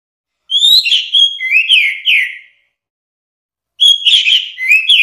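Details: Orange-headed thrush delivering clear whistled phrases, a bright steady whistle dropping into slurred lower notes, then after a pause a fuller jumbled phrase of whistles and chirps.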